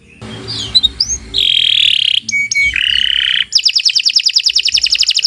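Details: Canary in long, continuous song meant as a tutor recording: scattered chirps, then sustained buzzy tones, a brief twangy note, a lower steady buzz and a fast, regular high trill to finish.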